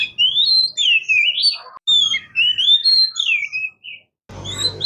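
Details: Oriental magpie-robin, known locally as murai kampung or kacer, singing a continuous run of clear whistled phrases that rise and fall between high and mid pitch, with a short break and a buzzier burst at the end.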